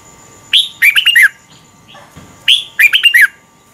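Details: Red-whiskered bulbul singing its morning song as a lure bird for song training. Two matching phrases, each a rising whistle then a tight burst of tumbling chirps, with a faint soft note between them.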